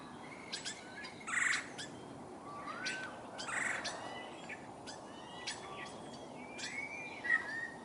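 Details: In a backyard willow tree in 2022, woodpeckers, downy and red-bellied, hunt insects. Two brief raspy churring bursts stand out about two seconds apart, while other small birds add rising whistled slurs and chips against a constant hiss.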